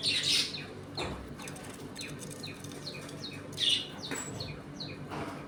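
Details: Pet budgerigars in a home colony, eating, playing and squabbling; scattered short high chirps and scratchy squawks with a few quiet gaps and a soft thump.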